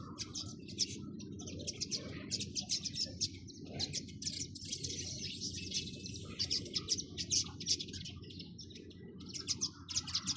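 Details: A lively chorus of sparrows keeps up nearly continuous high, scratchy chirping in repeated bursts, with low background rumble beneath.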